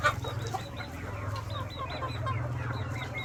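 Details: Farmed KUB chickens in Aceh Besar cheep in short, repeated, slightly rising high notes over a steady low machine-like hum.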